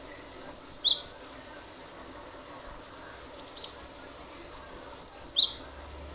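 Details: Lure song of a cinereous tit, meant to set other birds singing: three clusters of sharp, very high chirping notes, some dropping steeply in pitch, delivered in quick runs of three or four, with a soft hissing backdrop.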